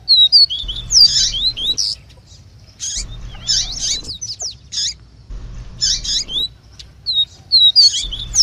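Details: Double-collared seedeater singing tui tui, answered by female calls. Phrases of thin rising and falling whistles mixed with buzzy rattles repeat roughly every two and a half seconds, with a low hum between them.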